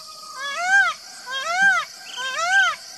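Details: Three loud, even, arch-shaped cries from an Indian peafowl, evenly spaced just under a second apart, rising and dropping in pitch with rich harmonics.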